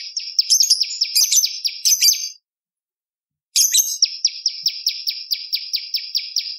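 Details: Lure recording of bar-winged prinia: a burst of busy, buzzy chattering notes, over a second of silence, then a crisp, regularly repeated chip series.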